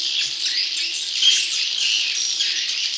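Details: Swiftlet chick lure calls, a short burst of continuous shrill buzzing chatter, high-pitched and dense, with no breaks.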